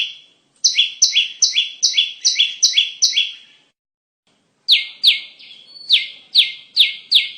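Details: Bar-winged prinia song played as a lure for trapping birds: a fast series of sharp, bright chirps, each dropping in two steps, about two and a half per second, with a pause of over a second before the series resumes.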